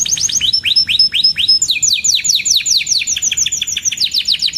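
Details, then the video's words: Canary song for tutoring young birds: a few slow downward-slurred chirps and high whistles, then a dense, fast trill of falling notes running to the end. "Burung Kenari GACOR Cuit Cuit EMOSI‼️Pancingan Kenari Paud Belajar Bunyi, Terapi AMPUH Kenari Macet"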